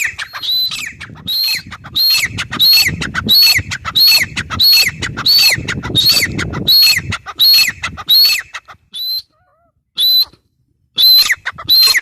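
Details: Teetar or grey francolin calling in a long, steady series of shrill, grating notes, roughly three every two seconds, each with a sharp upper squeal and falling tail, then a short pause before the calls resume.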